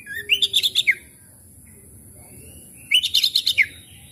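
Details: Lure recording of an Oriental magpie-robin meant to set quiet, stressed birds singing: two bursts of six or seven fast, sharp, repeated chirping notes, the bursts separated by about two seconds of near-silence.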